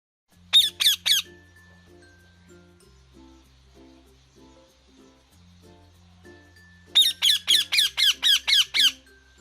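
Rose-ringed parakeet giving harsh, shrill screeches: a pair at first, then a rapid burst of about seven, over soft background music.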